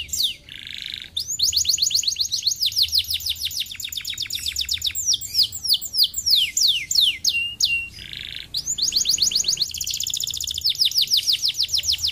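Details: Lure canary song to prompt lazy canaries to respond: long, fast, high trills of rapid downslurred notes, broken by brief harsh buzzy bursts. The phrases change speed and are heard repeatedly.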